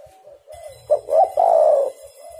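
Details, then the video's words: Spotted dove call, played to lure other spotted doves into calling: two short rising coos, then one long, full, slightly falling coo in the mid-low range. Softer coos follow before and after, with a faint low hum underneath. "tekukur super gacor"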